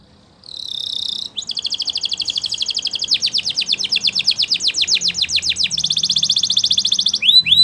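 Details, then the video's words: Song of a Belgian canary: an opening buzzy note, then a long rapid trill that slows into loud downslurred notes. It speeds up again into a dense buzz and ends with quick swooping whistles. "Belgian Canary Song"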